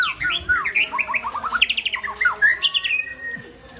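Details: White-rumped shama breeding bird, or murai, with a 21 tail, pours out a fast varied phrase of sweeping whistled notes, dense and tumbling, slowing into a few longer slurred whistles near the end.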